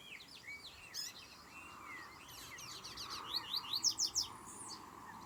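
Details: Double-collared seedeater song: a series of quick, high, sharp whistled notes, swept and slurred, rising into a brighter run of rapid clear notes near the end, over a steady faint background hiss.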